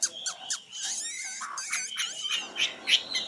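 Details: Common nightingale recorded in 2016, singing a rapid, varied run of sharp clicks, buzzy trills and clear high whistles, changing phrase every second or so.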